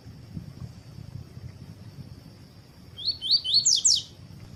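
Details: Double-collared seedeater kept by breeders, paired with a female to train and warm up for song contests, giving a tui tui phrase. After quiet background, four quick upslurred whistles run into a bright buzzy trill at the end.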